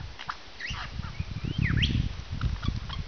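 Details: Wild lyrebird near Melbourne, Australia, imitating a squealing piglet and a wild pig's snort: dense low rumbling snort-like pulses throughout, overlaid with swooping whistled slides and a sharp V-shaped squeal.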